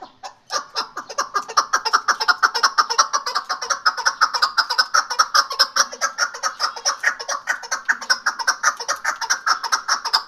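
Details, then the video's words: Chukar partridge, a hunting bird, calling in a long fast series of harsh clucking notes, about three per second, steady and unbroken. "Shikari Chakor Awaz KeklikSesiشکاری چکورآواز"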